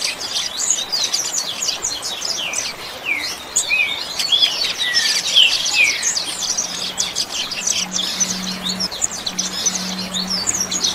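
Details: A Double-collared Seedeater's "chuva" song type, used as training audio: a dense, rapid run of high chirps and short slurred whistles. Other small birds chatter alongside, and a low steady hum comes in near the end.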